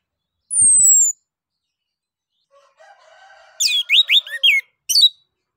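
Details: Orange-headed thrush, ngeplong song used as a lure to set other birds singing: a long, thin, high whistle slides slightly down, a quiet pause, then a rapid run of sharp, bright, varied chirps and one last note.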